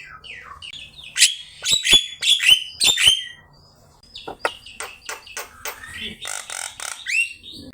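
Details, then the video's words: Energetic Javan myna song used as a master recording for teaching birds: loud clicks and sharp, repeated downslurred whistles early on, a brief lull, then a quicker jumble of chirps and rising whistles. "Suara jalak kebo gacor"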